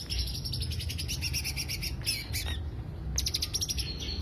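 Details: Greater green leafbird lure song: fast runs of bright, high chattering notes in rapid trills, broken by short sweeping squeaks midway, over a steady low hum.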